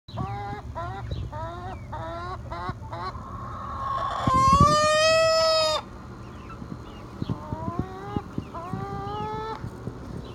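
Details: Young hen that has not yet laid, the oldest and likely dominant bird of a backyard flock with no rooster, giving odd harmonic calls: a run of short rising notes, then a long loud drawn-out squawk, then more short upslurred notes.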